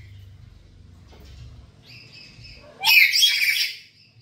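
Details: Black-capped lory kept at home, a lively calling bird used as a lure call: soft faint notes, a brief pair of whistled tones, then a loud harsh screech lasting about a second before fading.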